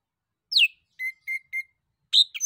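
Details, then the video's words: Male orange-headed thrush singing to provoke other birds into answering: a downward-sliding whistle, three evenly spaced steady mid-pitched whistled notes, then a burst of louder varied chirps. "SUITAN ANIS KEMBANG JANTAN DAN PANCINGAN ANIS KEMBANG GACOR"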